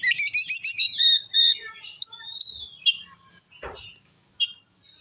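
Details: Oriental magpie-robin (kacer) provoking song: a rapid rattling trill of high notes, then scattered sharp whistles and clicks with gaps, plus a brief low knock.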